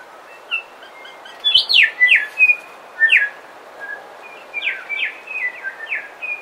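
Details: Close bellbirds in a coastal dawn chorus: bursts of loud, bright downward-sliding chirps in quick succession, interleaved with level whistled notes and a second flurry later, set against a quiet hissing background.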